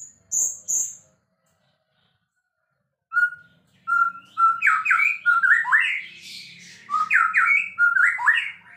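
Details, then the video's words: A white-rumped shama opens with two high notes, then after a pause sings a string of repeated short whistles building into a fast, varied, tumbling phrase. "relaxing Bird sounds murai gacor juara"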